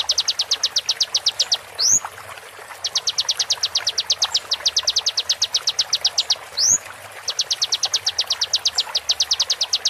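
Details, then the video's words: Konin song used as a training recording for songbirds, from a real konin bird: bursts of about fifteen rapid, evenly spaced high chip notes, broken by a sharply upslurred whistle roughly every five seconds, with a faint low hum beneath. "MASTERAN KONIN FULL ISIAN TEMBAKAN TAJAM"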